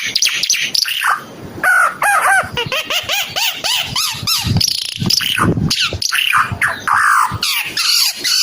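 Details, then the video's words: A Timor red-eyed bird sings lively, varied phrases of curving whistled notes, harsh bursts and rapid chatter, delivered loudly and almost without gaps. "Kicau Burung Ara UNIK Mata Merah Suara Gacor"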